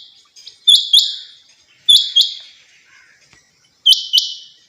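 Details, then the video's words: Female rain quail, locally called chinga batair, kept as a hobby bird; sharp paired notes, each a quick click-like onset followed by a bright, buzzy ringing tone, the pairs repeated three times at irregular intervals. "Chinga batair quail"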